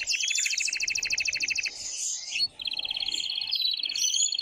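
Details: Excited male canary singing to encourage a female to mate, with a long rapid double-toned trill, a short rough burst, then another even high trill running to the end.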